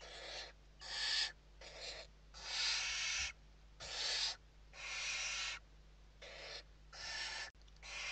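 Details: Inside a barn owl nest in Spain at evening feeding, late November 2023; a near-continuous sequence of long noisy screeching hisses of varied length, with a brief click and steady hum.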